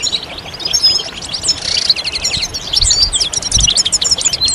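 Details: Several European goldfinches twittering together to prompt males to sing; sharp, whistled high notes and rapid chips mix with a brief buzzy burst, with the phrases tightly packed.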